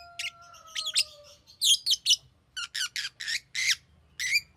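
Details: Green lovebird chirping: sharp, high, scratchy chirps in quick bursts of one to three, about a dozen over the stretch, with two steady faint whistled tones gliding slightly downward early on.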